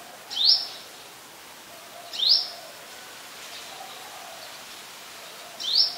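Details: In Ubon Ratchathani, Thailand, on 2 January 2021, a Brown-throated sunbird gives three brief, piercing upward-sweeping chips, the last after a longer pause, over a quiet hissy background. Recorded with a Nikon P1000.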